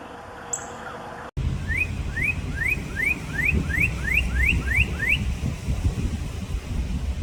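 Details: Red cardinals, filmed as entertainment for pets, give a run of about ten rising, slurred whistled notes, roughly three per second, over a steady low rumble of background noise.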